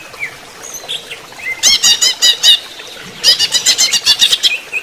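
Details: Two loud bursts of quick, high chattering notes, each about a second long, from a greater green leafbird (cucak ijo) during running-water therapy, with soft whistles before them.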